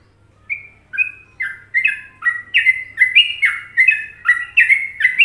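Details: In an Indonesian masteran, a trucuk (sooty-headed bulbul) begins after a brief pause with single whistles. These build into faster, bubbly doubled notes that rise and fall in the Trucukan rhythm, with a faint low hum underneath.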